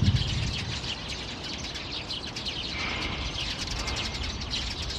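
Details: Alarm calls of Eurasian tree sparrows, 15 February 2020 near 4:20 pm, a busy stream of short, sharp repeated chirps, with a thin whistled note midway, over constant low rumbling noise.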